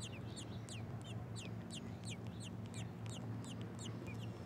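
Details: American robin chicks in the nest, fed a big worm by a parent, give thin, high, downslurred peeps, about two or three a second, over a steady low rumble.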